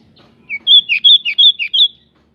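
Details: Local pied bushchat in full song with wings spread, a bird used to provoke others into singing: a quick run of seven loud whistled notes near one pitch, some dipping slightly, over about one and a half seconds.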